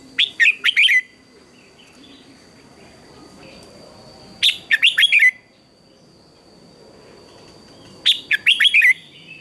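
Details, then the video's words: Red-whiskered bulbul singing in the morning contest style, voice being trained: three loud phrases of rapid whistled notes, each ending in a downslur, repeated about every four seconds, with a faint steady high hum throughout. "Chào Mào Hót Đấu Sáng"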